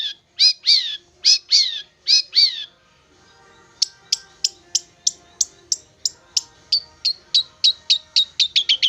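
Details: Long-tailed shrike, a young bird from the forest tamed for about three months, gives a few loud harsh downslurred notes, a brief pause, then a long series of short sharp chips quickening toward the end.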